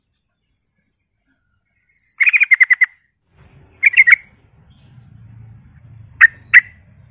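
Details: A sooty-headed bulbul sings on a provoking lure recording. Thin high chips lead into a quick run of about seven bubbly notes, a shorter burst of three, then two spaced single notes over a low background hum.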